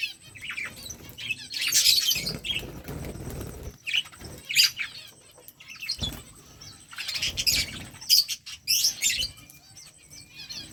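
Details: Budgerigars chirping and talking to each other: scattered bursts of high, scratchy chirps and warbling chatter in clusters around two, four-and-a-half and seven to nine seconds, with quiet pauses and soft fluttering between.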